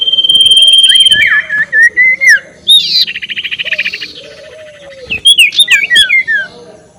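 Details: Ashy tailorbird giving the ngekek call, a lure to rile rival birds: a long steady whistle, rapid ticking chatter, a buzzy rattled phrase, then quick falling whistled notes.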